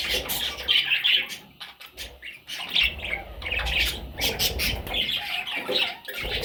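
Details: Several parrot chicks squawking in rough, grating bursts separated by short pauses, some notes higher and more strained, with occasional fluttering and a low background hum.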